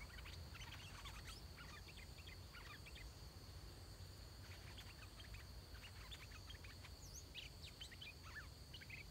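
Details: Decoy red-whiskered bulbul calling wild bulbuls to a trap. A big, large-crested wild singer responded quickly. Rather distant, rapid clusters of sharp chirps and short whistles come in bursts throughout, with low background rumble.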